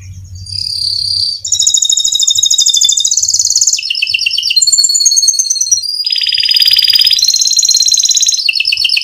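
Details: Canary in full, long rolling song, used as a tutor recording to prompt other canaries to sing: rapid trills switching pitch every second or so, high and bright, one trill sliding down before louder, buzzier rolls take over.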